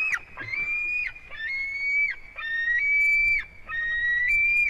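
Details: At a white-tailed eagle nest in Durbe, Latvia, on 13 August, the eaglet's fourth day there: drawn-out, thin whistled notes, each held about a second with a slight rise and a sharp drop, repeated with short gaps.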